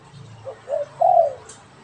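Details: Spotted dove, a caged pet and a wild bird calling back and forth: soft low hooting coos, a short note, then a longer, louder coo that slurs slightly downward, with a faint low hum beneath.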